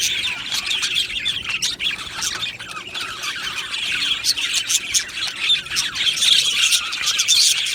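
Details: Budgerigar colony in an aviary, many birds squawking and chirping at once; rapid scratchy chatter with sharper squawks rising above the steady high twitter.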